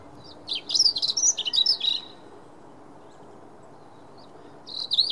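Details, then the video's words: Robin in song on 9 March 2017, a varied burst of high, thin warbling and trilled notes for about a second and a half, then a pause before a fresh high phrase starts at the end. "Robins song"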